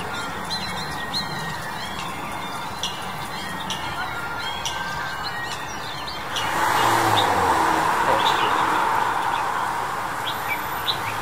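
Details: Long-tailed Shrike in February 2021 giving short, scratchy high notes at about four per second, with a broad rush of wind or traffic noise swelling over the second half.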